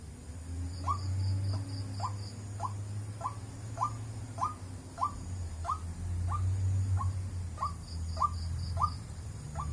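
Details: White-breasted waterhen calling 'wak wak', a rapid run of short, sharp, upward-flicking notes repeated roughly three times a second, some unevenly spaced, against a steady low hum and a faint high pulsing insect-like tone.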